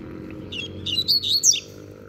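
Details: Young caged double-collared seedeater, a novice with its learned song complete, gives a short, firm phrase of high buzzy and whistled notes that rise and fall, ending sharply after about a second.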